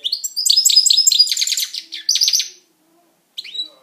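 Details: Singing pet European goldfinch: a rapid, rhythmic series of bright, repeated twittering notes with some buzzy trills. After a brief silence, a single rising chirp is heard.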